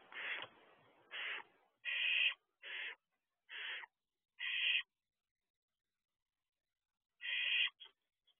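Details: Barn owl owlets together on top of their nest box at night, 2 June 2023: a run of six harsh hissing screeches in quick succession, a pause of a few seconds, then two more.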